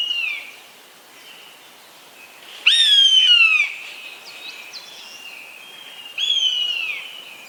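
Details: A large hawk gives a loud, harmonic, downslurred mew lasting nearly a second. It is followed a few seconds later by a weaker, shorter call, with faint chirping from other birds in between.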